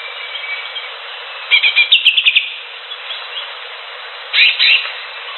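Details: Greater green leafbird singing in the wild: a quick run of bright, chirpy notes mid-clip, then a short second burst of sharp twittering after a quiet pause with faint background hiss.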